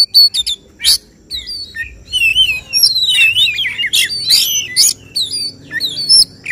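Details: Contest Oriental magpie-robin delivering tembakan, shot-like song phrases favoured by judges: loud, varied whistles sweeping up and down, harsh bursts and twisting slurred notes in quick, irregular phrases.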